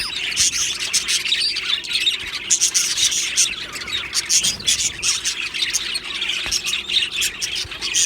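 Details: Happy Australian budgies from an aviary colony keep up continuous chirping, many birds at once, with bright chattering notes and quick trills rising and falling in loudness throughout.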